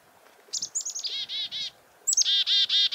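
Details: Alarm-calling chickadee reacting to a goshawk nearby, farm, February 2021: two quick phrases, each opening with sharp high descending chips and ending in several loud, harsh, evenly spaced buzzy notes.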